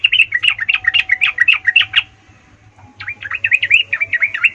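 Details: A sooty-headed bulbul in heated song to provoke rivals pours out a continuous, bubbling stream of short looping whistles, pauses briefly, then resumes the same rapid warbling; a low background hum is present.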